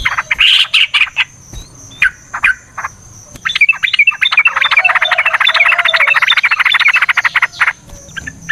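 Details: Talkative yellow-vented bulbul in long rapid fighting song, used to entice other bulbuls into singing; scattered sharp chirps lead into a sustained, dense, bubbling chatter lasting several seconds, with a steady high hiss behind.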